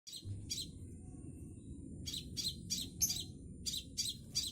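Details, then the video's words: Juvenile scarlet minivet learning to sing gives sharp, high chirps in short bursts, some paired, spaced irregularly over a soft low background rumble. "Kicau sepah raja trotol"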